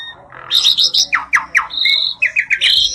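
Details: A pair of Asian pied starlings (jalak suren) singing energetically, with a rapid run of harsh, downward-sweeping notes and bright sustained whistles, varied phrasing packed into three seconds.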